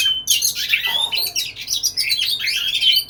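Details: Courtship song of a white-rumped shama toward a female, an unbroken rich warble of overlapping whistles, trills and buzzy notes pouring out without pause.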